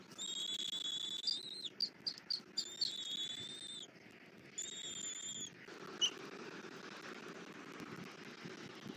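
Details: Bald eagle nest in Southwest Florida, early morning in February, with a female feeding a chick rabbit brought by the male: long high level whistles, then a quick run of short peeps, another whistle, then quiet.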